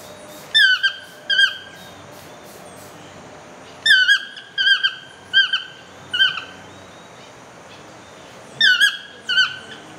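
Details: A Fiery-billed Aracari in rainforest at Esquipulas lodge near Manuel Antonio gives sharp, squeaky, sneezy notes, often doubled, about eight with quiet gaps between; Yellow-throated Toucan calls sound in the background over a faint hiss.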